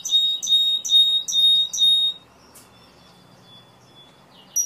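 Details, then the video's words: A Timbrado canary sings five clear, ringing, bell-like notes, about two a second, then falls nearly silent except for faint high tones and a brief closing chirp. "تسجيل طائر كناري تمبرادو"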